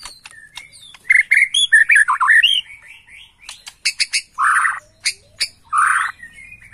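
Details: Agitated Bornean white-rumped shama, recorded as a lure: harsh rising chatter, a burst of loud notes, then two rough, buzzy bursts.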